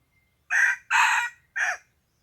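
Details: Rooster crowing on a morning, 27 February 2020, when birds were taken out to try crowing: three loud, hoarse, harsh bursts, the middle one longest, the last shorter and falling, in a quiet setting.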